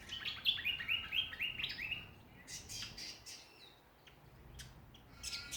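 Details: Australian songbirds in a backyard at Ballajura, Western Australia: a quick series of bright, stepped whistled notes opens the clip, followed by scattered sharp chirps from other birds and quieter gaps.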